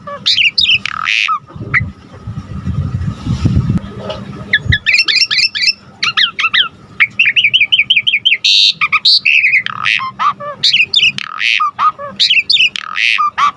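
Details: Asian pied starling in lively full song, used to provoke and tutor other songbirds. Bright whistles give way to a low rumbling handling noise, then a dense stream of quick chirps, trills, rasping bursts and slurred whistles. A faint constant hum runs underneath.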